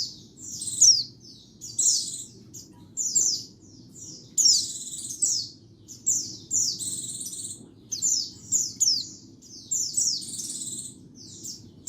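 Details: White-eye lure song, recorded free of background noise: continuous high-pitched twittering and chattering in rapid clustered bursts of sweeping notes, with almost no gaps across the stretch.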